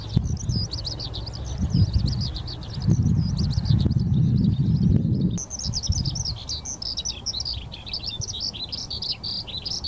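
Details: Eurasian skylark parent and chick recorded at Ogura on 10 May 2024: rapid, high, continuous twittering and chirping, briefly pausing midway then resuming brighter, over a strong low rumble of wind or handling noise.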